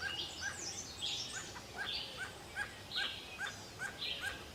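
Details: In forest, a barbet repeats a short, curved note about twice each second, with high chirps and squeaky calls from other birds mixed in.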